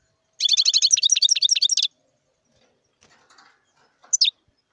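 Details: Wild European goldfinch singing: a fast, tinkling twitter of high, liquid notes lasting about a second and a half, then a pause before one sharp, high call note.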